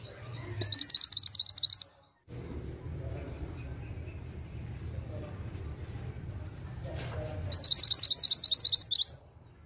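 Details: Oriental magpie-robin singing in two quick bursts of bright, high, looping whistles, each about a second long, separated by several seconds of low murmuring background noise.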